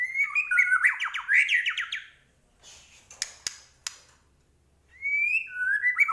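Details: White-rumped shama, Medan type, in energetic 'gacor' song with full 'isian': a rapid tumble of slurred whistles, a pause broken by sharp ticks, then a clear rising whistle and a stepped falling phrase.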